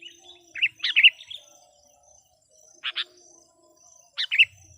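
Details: Decoy sooty-headed bulbul calling wild birds, lively: short, liquid two-part whistled phrases at irregular intervals, separated by near silence.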